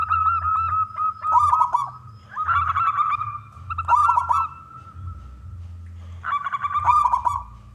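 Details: Local Indonesian zebra dove, a loud big-voiced singer used to lure other doves into singing. Low rolling coos with stuttered notes come in three phrases about two seconds apart, over a steady tone and a low background hum.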